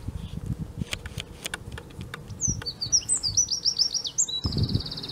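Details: Eurasian wren singing at De Kleuter in Uden on 5 March 2015: a rapid, high, tinkling trill of sharp repeated notes, ending in a fast even rattle, over low rumbling background noise.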